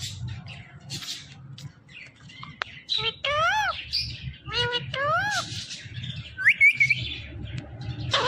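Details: Talking Ring-necked parrot producing repeated arching, harmonic voice-like phrases resembling mimicked words, with sharp clicks, brief squeaks, a high trill near the end and a low steady hum beneath.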